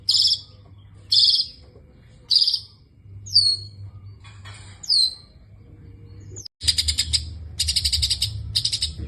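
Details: Long-tailed shrike with varied 'isian' song. Several harsh rasping bursts give way to high descending whistled slurs, then a rapid string of scratchy notes closes the sequence.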